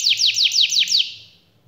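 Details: Canary giving a short phrase of six high, clean downward-sweeping whistles in quick even succession, then falling silent.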